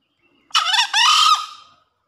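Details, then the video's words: After heavy rain, a male green junglefowl in breeding condition gives a single crow: a brief rough opening burst, a slight gap, then a drawn-out hoarse second phrase that tails away. No other sounds are heard. "Suara Gacor Ayam Hutan Hijau Setelah Hujan DERAS"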